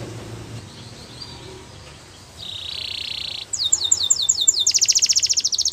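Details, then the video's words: Russian canary in flute-style song, fairly quiet at first: a soft buzzy note, then a sustained buzzing trill, followed by louder rapid high repeated notes and a fast pulsing rattle, with low background noise throughout. "Russian Canary Flute Singing"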